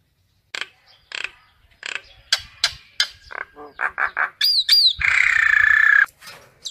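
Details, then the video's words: Common myna calling to its flock in a varied sequence. Dry clicks and short harsh notes speed up, then two high looping whistles, then a long buzzy rasp, with more clicks after it. "Tiếng sáo nâu gọi bầy"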